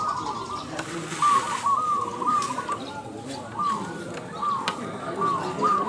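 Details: At an Indonesian singing competition for zebra doves, a series of bright, clipped coo notes comes about every half second to second, with other doves cooing softly and people talking in the background.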